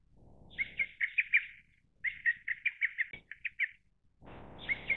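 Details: Lesser cuckoo (Cuculus poliocephalus) gives two quick phrases of loud, clipped whistled notes, each about eight notes long, over a low rumble of background noise; call.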